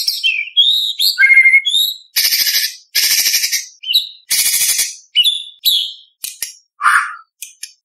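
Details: Varied White-rumped shama song in contest style for training juveniles: sweet whistled slurs, loud harsh rattling bursts repeated several times, then short sharp notes and a low falling whistle.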